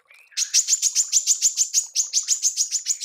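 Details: Female manggar used for songbird training: a thin rising note, then a quick, regular burst of strident high chirps with a brief pause midway.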